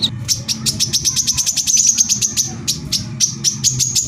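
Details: Brown-throated sunbird (kolibri kelapa), 'tembakan rapat' rapid-fire song used as a lure to make other sunbirds excited and sing: a long run of quick, evenly spaced high ticks, pausing briefly and resuming, over low background rumble.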